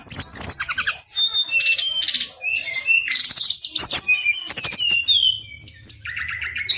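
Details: Brown-chested jungle flycatcher delivering a long rolling song, a continuous jumble of sharp high chirps, slurred whistles and dry rattling notes that switch pitch every fraction of a second, with a faint low hum near the end.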